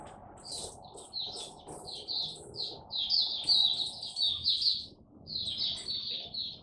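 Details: Caged Oriental white-eye singing openly (buka) on the first test day of a health supplement: a string of quick high chirps building into dense twittered phrases, loudest midway, with low room noise underneath.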